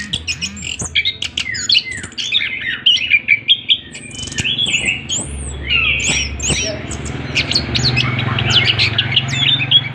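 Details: An orange-headed thrush delivers a lengthy rolling song, 'ngroll panjang', mixing clipped chips, slurred whistles and buzzy trills in a nonstop varied stream, with scattered clicks and a steady low hum beneath.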